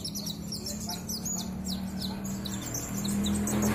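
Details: Caged sunbird in full song, unloading its repertoire of imitated calls: quick high chirps and short sliding whistles, irregular and rapid, over a steady low hum.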